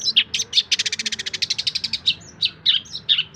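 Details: Long-tailed shrike singing material to teach other songbirds: scattered chirps leading into a fast rattling trill of about fifteen notes, then varied squeaky, whistled phrases.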